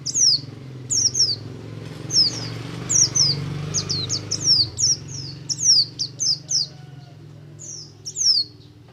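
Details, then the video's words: Ngalas song of a buxtomi oriental white-eye, played to make other white-eyes sing quickly: repeated high, thin, descending whistles in pairs and quick runs throughout, with a low hum underneath. "BUXTO NGALAS, untuk merangsang pleci ombyokan agar cepat ngriwik"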